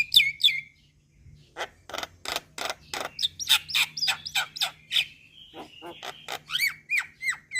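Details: Starling lure to draw a response from Javan, black-winged and Nias mynas: two whistled notes, then a rhythmic run of grating rasps followed by repeated sharp downslurred whistles.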